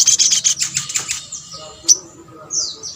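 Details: Sunbird calls used to provoke a response from other sunbirds: a burst of sharp, high chirps and short trills in the first second, then scattered thin, high notes with a faint low rumble beneath.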